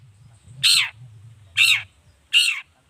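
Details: Harsh, grating long-tailed shrike squawks, used to goad rival shrikes into calling back; three loud rasping notes with falling tails, about 0.8 seconds apart, over a low background rumble.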